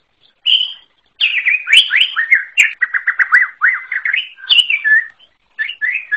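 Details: Greater green leafbird, wild, pouring out a continuous stream of looping whistled phrases, many short rising-and-falling slurs strung together rapidly, with a brief gap near the end.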